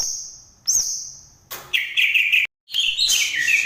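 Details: Green leafbird, Banyuwangi strain, opening with a thin high held whistle, then bursts of loud scratchy, chattering notes after a short gap.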